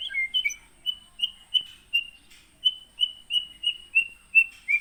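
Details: Caged white-rumped shama from Aih Ilang (Sungai Merah), Pining, Gunung Leuser, Aceh, Indonesia, caught in 2017: a series of short clear whistled notes at a steady pitch, repeated about three times a second, with a faint high-pitched hum behind.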